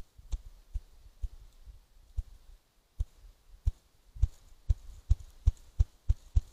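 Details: Ruffed grouse (Bonasa umbellus) drumming at its drumming spot in central Alberta, recorded by trail cam: deep, muffled thumps that start slow and speed up, gaps shrinking from nearly a second to about a third of a second.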